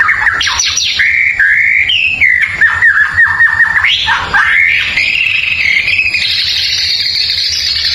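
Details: White-rumped shama song meant to provoke neighbouring birds: loud varied whistled phrases, rapid repeated notes, slurred rising and falling sweeps climbing to a high sustained buzzy passage near the end.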